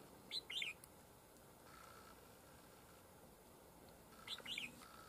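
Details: Wild red-whiskered bulbul (Pycnonotus jocosus) coming to a decoy trap, contesting territory with a rival: two quick, bright whistled song phrases about four seconds apart, each a jumble of rising and falling notes, over a quiet hiss.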